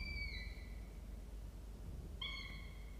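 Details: Three-week-old falcon nestlings, a male and a female, at a camera-watched nest on 25 October 2023 at 19:22. A thin whining note fades out, then after a pause a bright harmonic whine returns, over steady low rumbling background noise.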